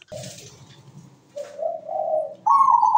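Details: Zebra dove in melodious song. A soft low coo over a low rumbling background, then two rising bubbling coos, ending on a loud, higher, vibrating trill.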